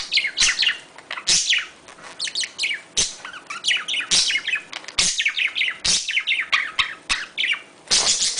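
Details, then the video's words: Budgerigar mating sounds meant to stimulate breeding: a busy, continuous warble of quick high tweets and falling slurred notes, punctuated by loud clicking ticks roughly every second. "تحفيز طيور الحب على التزاوج اصوات تزاوج طائر البادجي صوت طيور البادجي تغريد طيور الحب"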